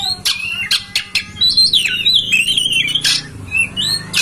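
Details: Oriental magpie-robin (kacer) master song for stirring a kept bird to open its tail and sing: sharp clicks, then a long wavering whistled run that dips and rises, followed by harsher notes.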